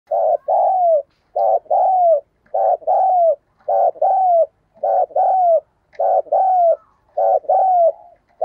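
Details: Captive decoy spotted dove recorded up close, cooing in a regular series of about eight phrases, each a short stuttered note and then a longer slurred, falling coo, repeated roughly every second. The background is quiet.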